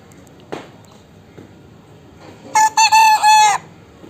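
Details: Young chickens about three months old with changing voices; after faint background clicks and shuffling, a loud, harsh, strained crow-like call of several broken bursts lasting about a second.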